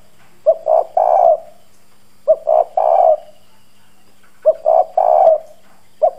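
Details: Hoarse 'giọng đồng' decoy spotted dove giving forceful 'gù' coos to make wild doves respond. Three full low three-note phrases about every two seconds, plus the start of a fourth; soft steady hum behind.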